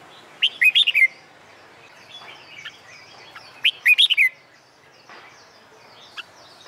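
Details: Red-whiskered bulbul, recorded in summer sun as song-contest training: two matching phrases of four or five quick, rich, warbled whistles roughly three seconds apart, faint twitters between.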